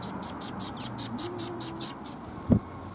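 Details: Sparrows arriving to be fed at a Tenmangu shrine on 27 February 2021: a quick series of high, bright chirps, about five per second for a second and a half, then a single dull thump over a low steady hum.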